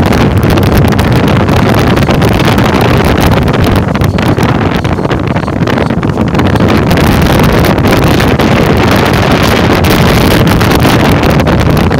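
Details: Steady low roar of wind buffeting the microphone, with the rumble of a boat motor and no bird calls.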